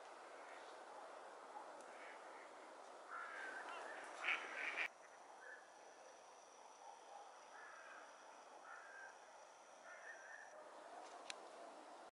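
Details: In Bucharest, a Eurasian (common) teal gives short, scattered nasal calls at mid pitch, with a few louder bursts early on, over a steady hiss of background noise.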